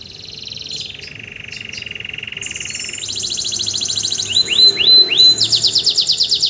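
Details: Kept canary just after moulting, singing strongly without any conditioning, used as a tutor bird for other songbirds: long buzzy trills that step higher, then repeated sweeping whistled notes and a fast pulsing roll near the end.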